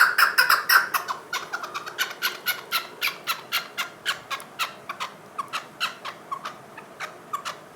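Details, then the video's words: Chukar partridge calling: a fast run of sharp, clucking chuck notes, about four a second, starting loud and crowded and then settling into an even, slightly slower rhythm that fades a little toward the end. "Chokor Best Calling"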